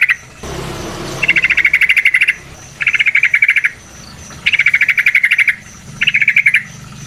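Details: Trucukan, the yellow-vented bulbul, chattering for use as a lure: a brief rustling noise, then four rapid rattling trills of about one second each, separated by short silences.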